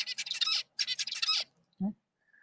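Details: Normal zebra finch singing a song learned from a tutor, fairly similar to the teacher's song; lab recording played during a talk. Two quick bouts of buzzy, harmonic, stacked syllables, then silence and a short low thump near the end.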